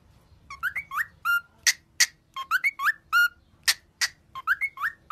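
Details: Training song of a cockatiel, sung to cheer: rapid alternation of rising, slurred whistles and loud broadband chips, with the same whistled figure returning about three times in five seconds.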